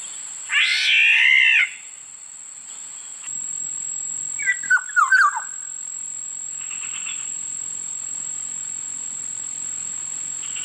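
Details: A harsh, wheezy, nasal squawk of about a second opens, followed by a brief phrase of fluty falling whistles from a Black-naped oriole, all against a steady high electronic tone.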